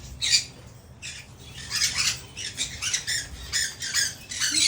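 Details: Rescued one-legged male Hahn's macaw settling into a new cage with a flat area, indoors, giving rapid, rough, scratchy squawks in uneven bursts over a low background hum.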